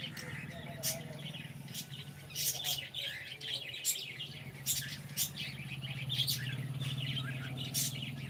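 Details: Cockatiel at home, described as saying good morning; busy high chirping and chattering syllables mixed with crisp clicks, loudest of the set, over a constant low electrical hum.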